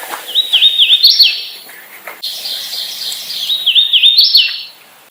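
A Hooded Warbler sings two bright, whistled phrases of slurred, wavering notes, each ending in an emphatic rising flourish, with faint background hiss.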